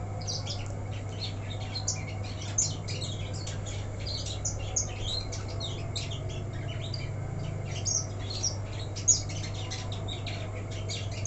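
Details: Untrained black-throated canary in a cage left uncovered, singing actively while spreading its wings: a long, busy run of rapid high twitters, trills and chirps with hardly a pause, over a constant low electrical hum.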